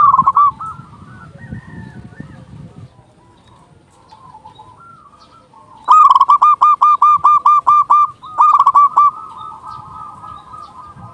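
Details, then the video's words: Loud local zebra dove singing to lure and excite other doves: after soft faint trills, a long ringing series of about a dozen evenly repeated coos, a short pause, then five more and a trailing soft trill. "Panggilan burung perkutut"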